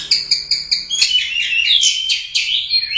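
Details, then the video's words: Caged orange-headed thrush, a first-place Royal Cup contest winner, in full gacor song: a few quick chirps, then a dense, unbroken run of varied high whistles, trills and slurred notes. "Suara Burung Anis Merah | GACOR Teler Doyong Juara I Royal Cup"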